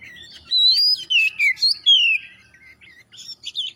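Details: Oriental magpie-robin singing to encourage other birds to sing, delivering rising and falling whistled slurs, descending notes and a long downward glide, followed by quieter scattered chirps.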